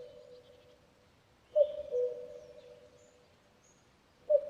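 A common cuckoo gives its two-note cuck-oo, a higher note dropping to a lower one, with a humming tone lingering underneath; another call begins near the end.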